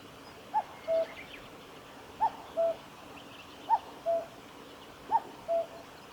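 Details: At the Kitafuji Maneuver Area in Japan on 15 July 2019, a common cuckoo repeats its cuck-oo, four times: a clipped higher note then a longer, steady lower note, roughly one and a half seconds apart.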